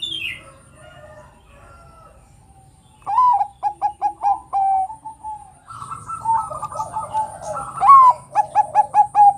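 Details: A Bangkok-type zebra dove gives its rapid, bubbling cooing song, a run of short rolling notes repeated in quick bursts, meant to provoke other doves into singing; faint background hum.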